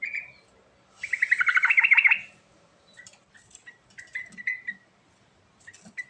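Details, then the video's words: Lure recording of a yellow-vented bulbul singing strongly to stir birds that have stopped calling: a short opening note, then a long, rich, rapid bubbling chatter, followed by scattered sharp chirps. "Suara Asli Trucuk Gacor Isian Istimewa Cocok Untuk Pancingan Trucuk Macet Bunyi"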